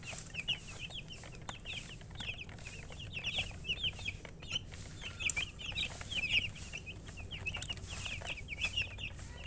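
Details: Continuous chirping from several chickens, with dense, high, short rising peeps overlapping throughout against a low background hum.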